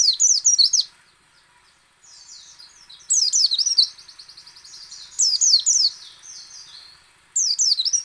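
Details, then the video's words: White-eye singing in quick bursts of high, thin twittering notes, with softer trilled passages between louder phrases; lure audio meant to prompt other white-eyes to sing. "PLECI ngecal, ngalas dan nembak AMPUH memancing pleci buka paruh."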